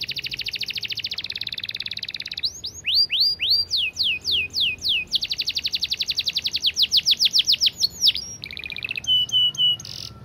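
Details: Long, clear canary 'speed rapat' master song: dense rapid repetitions of high sweeping notes switching between fast trills, slower loud downslurs and a brief buzzy passage, continuous and energetic with little background noise.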